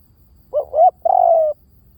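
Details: Spotted dove coo used as a lure, V18 style: two short upslurred hoots, then a full sustained coo that sinks a little at the end. Clear, loud and close.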